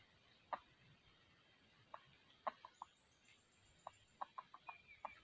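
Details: Red junglefowl, a decoy bird used for trapping wild junglefowl in 2020. It gives short, sharp, mid-pitched clucks, single or in quick irregular clusters, over a steady background hiss.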